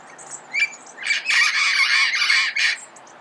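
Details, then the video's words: Red-crowned amazon calling early morning in Pasadena: one short harsh squawk, then a long run of grating, raspy bursts packed closely together, closing with a final squawk, with faint small-bird chirps in the background. "Red-crowned Amazon Bird Sound, Bird Song, Bird Call"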